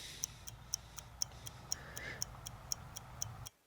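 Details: A clock-like tick repeats twice per second over faint room hum, ending abruptly, with no animal calls.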